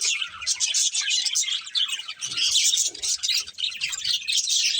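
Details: A breeding pair of budgerigars chatters in rapid, bright warbles and chirps, notes tumbling over each other in an unbroken, lively stream.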